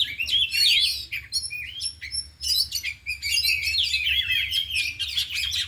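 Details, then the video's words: Four kacer, or oriental magpie-robins, kept in cages and trained in the afternoon, all singing and delivering mimicked isian phrases. Near-continuous rich whistles, slurred notes and scratchy trills pour out with only tiny breaks. "Latihan Kacer di Sore Hari Biarpun Hanya Burung 4 Tapi Jalan Semua dan Bongkar Isian"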